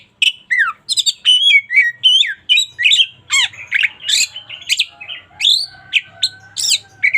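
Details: Energetic local Indonesian white-rumped shama song for daily training: continuous stream of varied whistles, steep sweeps and harsh chattering notes, loud and rapid throughout with a faint low hum beneath.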